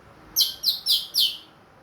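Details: A caged, ringed orange-headed thrush singing again after moulting produces four short, sharp, high whistled notes in about one second, loud and clear in the 'plong' manner.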